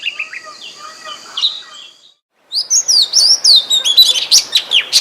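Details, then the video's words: Forest recording of an Oriental magpie-robin: soft twittering first, a brief silence, then loud clear whistles sliding up and down in rapid succession. "suara burung kacer di hutan"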